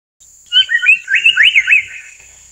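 Amur paradise flycatcher giving a quick run of about six harsh, rasping notes in just over a second, over a steady high insect-like whine.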